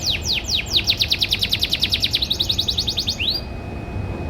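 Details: Canary from a private breeding collection singing in the morning: a fast even trill of about twenty-five down-slurred notes, shifting mid-phrase to a quicker series and ending in one rising sweep, over low steady background rumble.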